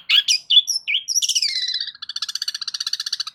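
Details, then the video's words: Loud song of a long-tailed shrike (cendet), used to provoke silent shrikes into responding. A burst of harsh, varied chattering notes slides into a long, rapid, buzzy trill of evenly repeated pulses. "Cendet DIAM Pasti Tak Tahan Dan MERESPON Gacor Bongkar Isian Dengan Suara Kicauan Cendet KERASini"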